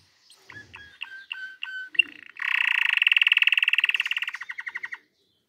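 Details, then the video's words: Singing canary: a series of short whistled double notes, then a loud, long, rapid rolling trill lasting about three seconds that slows into separate pulses before stopping. "canary singing"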